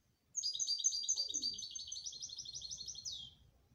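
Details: Canary singing a rapid, even trill of high, repeated notes lasting about three seconds, ending in a quick downward sweep; a faint low murmur sits beneath.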